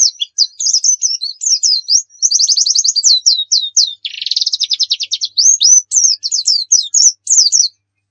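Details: Actively singing Javan white-eye, a dakun bird from Pacitan, in rapid-fire 'nembak' song full of variations: a continuous stream of high, quick slurred notes, rattling trills mid-song and a buzzier passage, then a sharp stop.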